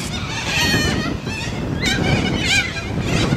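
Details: Australian white cockatoos giving short, harsh, wavering squawks one after another over a rumbling, wind-like low background.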